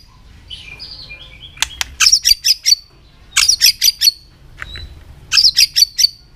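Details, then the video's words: White-rumped shama urged to sing fast and intensely: three bursts of sharp, high, clipped notes, each burst four or five notes, with soft warbles in between. "luyện chòe hót nhiều giọng.kích chòe lửa hót nhanh căng"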